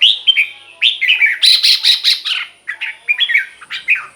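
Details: Red-whiskered bulbul song meant to stir up caged birds: continuous loud, jumbled whistled phrases, bright and bubbling, with a harsher rapid chatter in the middle.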